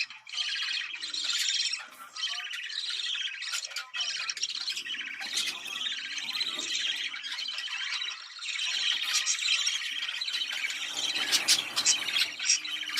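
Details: Budgerigars giving a mating call meant to stimulate breeding: dense, continuous warbling chatter from several birds, with buzzy squawks, sharp clicks and high chirps overlapping without pause.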